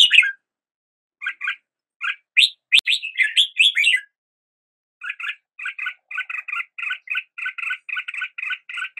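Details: Red-whiskered bulbul giving a lively warbled phrase of chirps, then after a pause a long steady series of identical clipped double notes repeated about three times a second.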